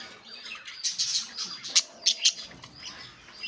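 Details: In a budgie colony, soft warbling is punctuated by a few loud, sharp clicking chirps, then quieter background chatter.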